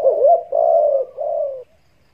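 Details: Spotted dove call used to lure doves while hunting: three soft low coos, the first wavering, the second longest and steady, the third slightly weaker, in a clean quiet recording.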